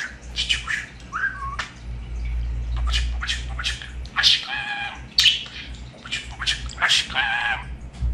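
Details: Talking pet budgerigar: a mix of buzzy chatter, a short whistled note and harmonic, voice-like syllables, with a low rumbling noise underneath at times.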